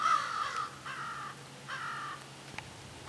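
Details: Crows in a group call back and forth: three drawn-out, harsh caws spaced about a second apart, with a steady low hum behind them.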